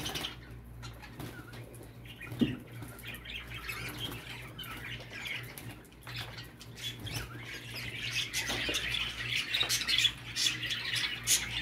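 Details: Budgerigar sounds to stimulate a male for mating: quiet scattered chirps and rustling at first, then building into dense rapid twittering chatter in the final seconds, with a low hum throughout.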